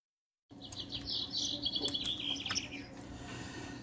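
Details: Goldfinch hybrid singing: after half a second of silence, a rapid, high twittering run of bright, buzzy and tinkling notes, around four per second, with a steady low hum underneath.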